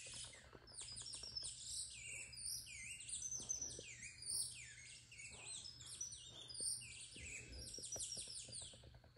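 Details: Saffron finch (canario criollo) in a cage, flapping its wings and singing: a dense stream of high, sharp, rising and falling chirps and slurred whistles, with faint clicks and low hum beneath.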